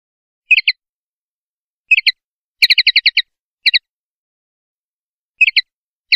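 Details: Male common linnet seeking a singing perch in a bush or hedge: short paired and clustered twittering notes, with one quick run of about eight chirps near the middle, separated by silences.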